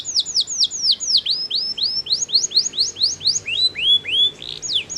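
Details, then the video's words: Canary song that stimulates opponents: a steady series of high, sharply descending slurred notes about four per second, then lower rising-falling swoops and renewed high slurs. "POWERFUL, CANARY SINGING STIMULATES THE SOUNDS OF OPPONENTS"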